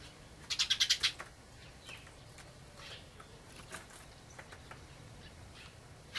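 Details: Wintering Dusky Thrush, a winter visitor that has migrated from far northern lands; a quick burst of about six harsh, high chattering notes within the first second, followed by quiet background with scattered faint ticks and a brief note at the end.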